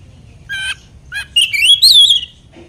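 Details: Short burst from an Oriental magpie-robin (kacer) lure song meant to provoke other kacer: a harsh chattering note, a brief pause, then a loud, clear whistled phrase that rises and falls before fading.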